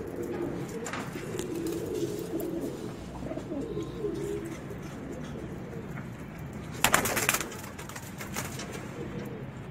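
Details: Racer pigeons with children nearby give low, murmuring coos through the first half, fading later; a loud burst of broadband rustling or flapping noise breaks in near the end.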